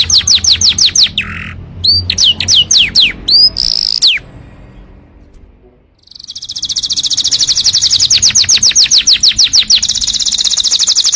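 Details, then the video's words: Canary song used as a tutor and trigger for other canaries: rapid series of sharp, descending whistled notes in repeated bursts, a short pause, then a long fast buzzy trill of repeated downslurred notes, loud and high-pitched. "KICAU BURUNG KENARI COCOK UNTUK MASTERAN & PANCINGAN"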